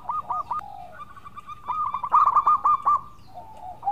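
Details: A local zebra dove, used as a lure to prompt other doves to call, gives soft, mellow cooing phrases of quick staccato notes at a steady mid pitch, broken by short pauses.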